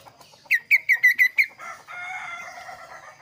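A kaso-kaso bird gives six quick, sharp notes at one steady pitch, then a softer, rambling warble.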